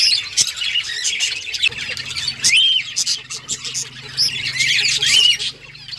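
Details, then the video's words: Budgerigars in a breeding colony chirping together: dense, overlapping high chatter with scratchy notes and occasional clear rising-falling whistles, continuous throughout. "Budgies breeding progress and chirping sounds"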